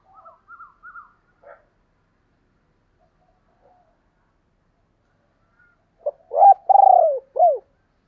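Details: Spotted dove calling, known locally as cu gáy, thúc and gáy gọi, from 2022: faint scattered higher hoots early, long silence, then a loud four-part coo of a short note, a rising coo, a rolled purr and a falling hoot.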